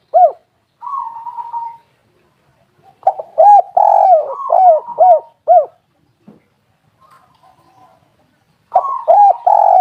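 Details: Spotted dove lure call meant to set other doves calling: repeated phrases of soft, hollow coos, each a slurred opener then several short rounded notes, separated by silent pauses with faint background rustles.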